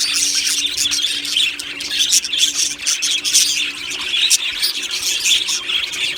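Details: Many budgerigars chirping in an aviary colony: a thick wash of high twittering and chattering with occasional sharper whistled notes, steady and continuous over a faint low hum.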